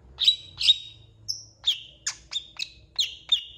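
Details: Singing long-tailed shrike, whose song is said to carry cat and chicken imitations; a quick series of piercing downslurred chips with short level whistled tails, about three per second, plus one thin high whistle.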